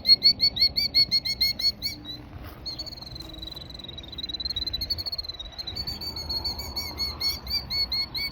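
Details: Killdeer pair at a nest in a gravel parking lot in Tennessee as the male arrives and does the broken-wing dance: rapid shrill high notes repeated about twice a second, then a long wavering whistled trill, then quick piping again.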